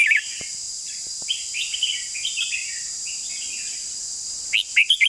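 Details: Soft, distant-sounding warbles of a red-whiskered bulbul, then a louder chortling phrase at the end, with steady insect buzzing throughout.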